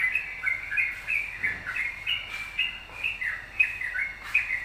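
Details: Yellow-vented bulbul in lively, continuous song meant to draw other birds into singing; rapid babbling notes rise and fall in quick succession, occasionally punctuated by brighter high accents.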